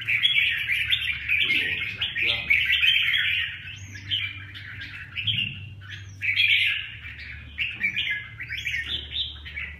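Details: Huế-type red-whiskered bulbul delivering continuous bright, buzzy warbling phrases, some with quick rising flicks, pausing briefly mid-way before resuming; faint low background hum throughout.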